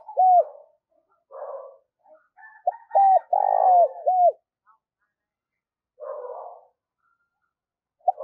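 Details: Decoy spotted dove cooing rapidly. An opening coo is followed by a phrase of two coos, a long rough rolled coo and a falling coo. Soft background dove calls fill the gaps, and the clip ends on the start of another coo.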